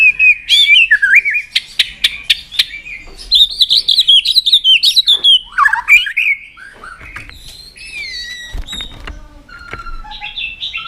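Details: Murai batu, the white-rumped shama, singing again after a silent spell: a long varied stream of warbled whistles and slurred phrases mixed with sharp clicks, softening into scattered high notes and short whistles.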